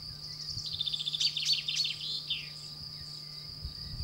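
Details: Common chaffinch, male and female singing in France: a high, rattling trill that speeds up and drops into a short descending flourish, over a steady high insect-like hum and faint low noise.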